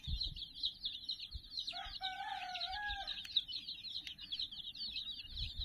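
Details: Domestic chicks, about sixty, crowd around a soft puppy toy in a steady stream of high peeping. A lower, drawn-out tonal call with a slight rise sounds through the middle, over soft low bumps.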